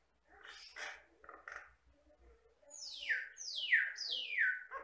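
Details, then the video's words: Jalak Batam myna, a mimicking bird of the Riau Islands lowlands, singing: soft chattering at first, then three loud whistled notes that each slide steeply downward, repeated about once a second. "MASTERAN BURUNG JALAK BATAM GACOR"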